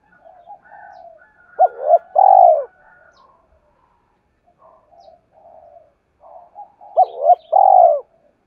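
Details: Spotted dove cooing as a lure for other doves. Faint murmuring and high thin notes surround two loud phrases, each made of quick hooked hoots followed by a rolling coo.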